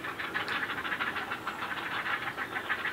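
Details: Great blue herons (Ardea herodias) at feeding time give a rapid, harsh clattering chatter of dry, knocking pulses, several each second, running steadily without pause.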